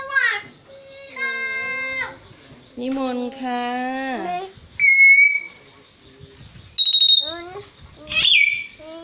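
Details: Captive common hill mynas, a group of four talking siblings, copying Thai words and phrases. Rich, voice-like harmonic syllables are broken by loud, shrill whistled notes that rise then level off. Music plays in the background.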